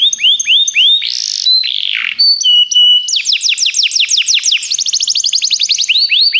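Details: Canary singing for song training: rising whistled notes, a harsh buzzy phrase, held tones, then rapid rolling trills of descending sweeps.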